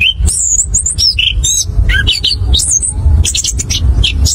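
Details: Orange-headed thrush, in a lure recording meant to prompt other birds to sing, pouring out a fast, varied song of clear whistles, squeaky notes and quick trills, with a steady low rumble underneath.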